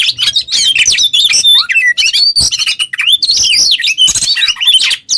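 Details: Oriental magpie-robin (kacer) singing 'ngobra teler' as a training lure: rich varied phrases with sweeping downslurred whistles, buzzy chatter and sharp twitters in quick succession.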